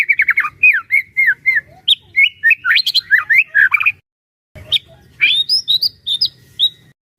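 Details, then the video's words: Hobbyist's White-rumped shama (Medan type) singing a full, varied song used to excite other shamas into singing: quick whistled phrases, slurred and warbled notes, higher sweeping whistles after a brief break, with a faint low hum beneath. "burung murai batu gacor AMPUH buat PANCINGAN dan MASTERAN murai batu agar bunyi GACOR EMOSI"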